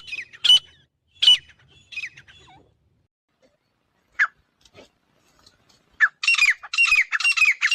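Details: A male and a female grey francolin give harsh, high squawking notes, first about a second apart, then a fast, loud run of shrill repeated notes toward the end.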